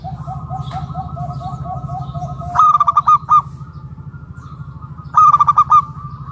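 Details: Zebra dove of local stock, its call used to draw other doves into calling; a string of soft repeated low coos gives way to two loud rapid bursts of throaty pulsed notes, over a low droning hum.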